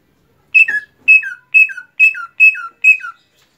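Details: Greater green leafbird (cucak ijo) after finishing its moult: six clear whistled two-note phrases, each a steady high note slurring down to a lower one, repeated about every half second against a silent background.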